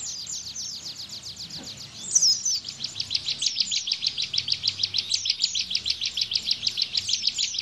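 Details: Ciblek, or bar-winged prinia, in lively 'bren' burst style, played to teach caged white-eyes: high scratchy notes, then a sharp squeal and long steady series of clipped chirps, each rapidly repeated, with faint background rumble.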